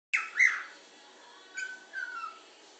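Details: Pet bird whistling while other birds in the room try to sleep: a bright rising chirp and short whistled note, then two fainter slurred whistles after a pause.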